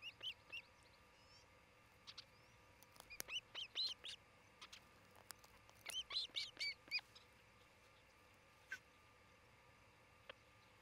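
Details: Osprey at a Charlo, Montana nest, captured on a nest camera on 27 June 2018 around noon: irregular volleys of piercing, upslurred whistled cheeps, loudest in two dense bursts, then trailing off to near silence with one late note.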